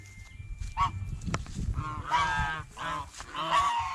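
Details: Goose honking while eating bread and fresh vegetables at a fish pond: a few short nasal honks, then longer harsh blaring calls around the second half, with splashing and low rumbling noise underneath.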